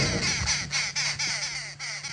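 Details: Arrow-marked babblers babble in a harsh, raucous chorus of rasping bursts, about four a second, over a steady low engine hum, on a 3 PM safari drive on 15 August 2016, at 26 °C, on the western fringes of Kruger National Park, South Africa.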